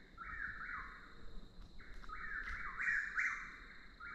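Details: Chuck-will's-widow calling nonstop, a bird said to be very vocal under certain light conditions: two loud whistled phrases, each rising then dropping away, about two seconds apart, over a faint steady high hum and low rumble.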